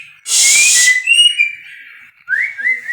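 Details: Captive-bred white-rumped shama singing: a loud hissing burst gives way to thin, drawn-out whistles, then a quick series of bright rising whistled notes.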